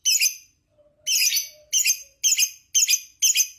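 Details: Lovebird known for long ngekek to rouse other lovebirds, here uttering harsh, broadband chattering squawks in short bursts, about two per second after a brief pause, with a faint low whistle.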